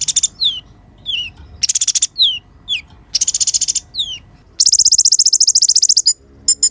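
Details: Sunbird known locally as kolibri ninja, recorded as a lure and tutor for kept songbirds; high, thin downslurred whistles alternate with fast bright buzzy trills and ends in a long rattling trill, clear and without background sound.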